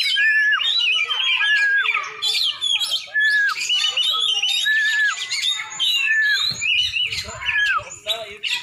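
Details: Champion Oriental magpie-robin, black-and-white type, from Aceh, delivering a rich, varied song: repeated clear downslurred whistles mixed with rapid buzzy chatter and chirps, with a brief low thump near the end.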